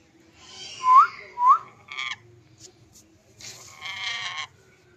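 A lorikeet gives two short, clear upslurred whistles half a second apart, then a few scratchy, harsh chattering bursts.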